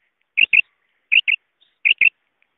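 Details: Female quail calling, recorded in 2023 and used in quail hunting. Three crisp double notes, each pair a quick clipped doublet spaced about three-quarters of a second apart, in silence.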